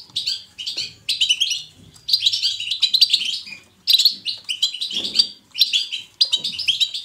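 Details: Chattering bursts of a European goldfinch's natural 'batbata' song, each lasting about half a second to a second, separated by brief gaps, bright and high with tinkling twitters.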